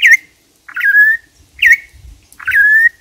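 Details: Campo troupial singing loud clear whistles: a short note dropping in pitch, then a longer, level, drawn-out whistle. The pair repeats twice in three seconds, with faint low thumps in the background.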